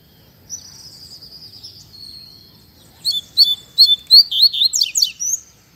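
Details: A drawn-out high thin whistle opens the passage, then a double-collared seedeater sings a rapid fibra-style phrase of sharp, evenly spaced whistled chips and slurs with a buzzy finish.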